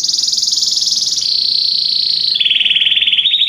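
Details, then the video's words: Belgian canary in full song for training: a fast, even high trill that steps down in pitch twice, each section a rapid buzzy roll. "canário belga cantando mais espectacular! treinamento canario belga"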